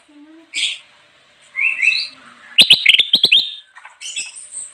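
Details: Bulbul (kutilang emas) song for luring wild birds, with short whistled notes leading into a dense burst of sharp chattering, then softer warbled phrases.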